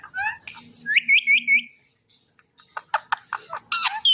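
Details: Pet parrot producing a run of four bright rising whistled notes, a short silence, then a series of sharp clipped squeaks and chirps.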